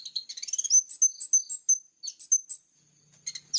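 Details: Kolibri ninja, the plain-throated sunbird, delivering clear, sharp bursts of song: a fast scratchy twitter, then a string of piercing high whistled notes, a brief pause, and another buzzy burst at the end.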